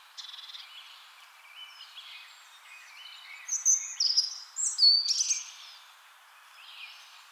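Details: Spring song of a European robin: a varied string of high, thin whistles and trills, quiet at first, then louder sliding and wavering notes in the middle, fading to a soft warble.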